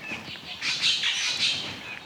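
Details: Male tooth-billed bowerbird in Australian forest, calling from a perch at his cleared display site of upside-down leaves while waiting for a female; loud, harsh, buzzy high-pitched phrases in a rapid run of squawking notes.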